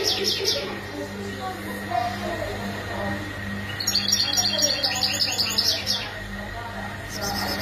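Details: Mating calls of the European goldfinch used to stimulate males: brief chirps at first, then a two-second burst of bright, rapid twittering, with humming background noise and low indistinct voices throughout.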